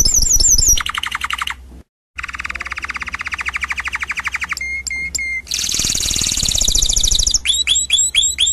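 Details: Canary song from a 2016 singing CD: high chirps, then long rolling buzzy trills broken by a short silence, a high metallic phrase, a shrill sustained roll and final repeated whistled sweeps.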